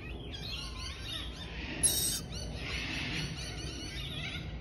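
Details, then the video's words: Baby lorikeet chirping: a run of squeaky, harmonic-rich chirps, some rising and falling, with a brief harsher burst near the middle and low background rumble. "Cute baby Lorikeet chirping"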